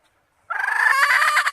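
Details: Female red junglefowl calling to males, used as a lure: a single drawn-out, harsh, harmonic squawk lasting about a second.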